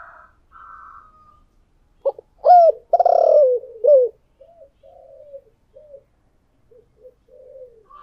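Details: Spotted dove decoy bird singing in the 'giọng thổ' style: soft coos, then a strong burst of clipped notes, a long rough coo and a hooked ending. Gentle trailing coos from other doves follow.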